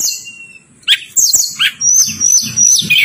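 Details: Lure song of a striated prinia meant to draw replies from quiet birds. A long thin whistle, then sharp descending chirps and a high sustained tone in rapid bursts, with soft low rumbling underneath.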